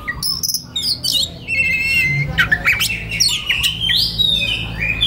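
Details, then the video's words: Relaxed kacer song becoming konslet, an Oriental magpie-robin used as master for young wild birds; continuous warbling with whistled rising notes, scratchy buzzes and sharp high accents. "SUARA KACER SANTAI LANJUT KONSLET Pas Buat Masteran Kacer Bahan Muda Hutan"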